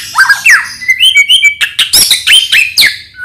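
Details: White-rumped shama in the morning, singing to prompt other shamas to sing. A fast, continuous stream of sweet whistles and chirps, with sliding notes and crisp repeated syllables.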